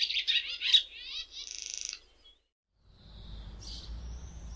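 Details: Common house martin producing a fast, buzzy twittering run of high notes, then a pause before one more chirp and a thin trailing whistle, as low rumbling background noise rises.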